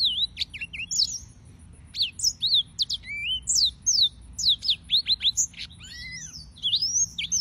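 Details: Yellow-fronted canaries (Serinus mozambicus) singing: a long, lively warble of bright whistled notes and sharp upslurs in near-constant flow, with a steady high faint ticking behind.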